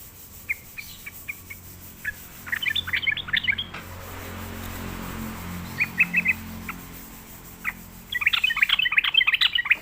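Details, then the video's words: Sooty-headed bulbul coaxed into song: thin single chirps and bursts of rapid chatter, interrupted by a low humming noise, ending in a loud busy flurry of notes. "sekali di pancing trucukan malas bunyi pasti Nyaut gacor"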